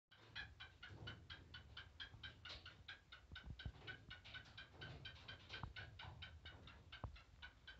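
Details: Black francolin (kala teetar) giving a long run of short, harsh, harmonic notes repeated about three times a second at a steady pace, over a constant low rumble with a few knocks.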